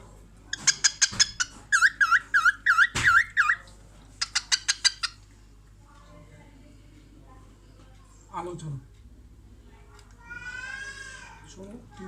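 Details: Cockatiel kept as a pet, watching herself in a mirror and making a laughing sound: a run of quick rising-and-falling whistled notes, a series of sharp chirps, later a warbled squeaky phrase, with a person speaking nearby.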